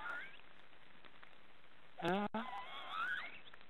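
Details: Young black storks snoring in a nest deep in an Estonian forest, three chicks present. A single hoarse, rising call breaks a quiet stretch and trails into a thin, higher whining tone.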